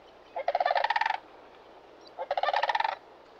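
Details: Sandhill Cranes, a flock of migrating birds in Arizona, give two loud, rolling, rattling bugles, each under a second long and about a second apart, with a throaty, trilled quality.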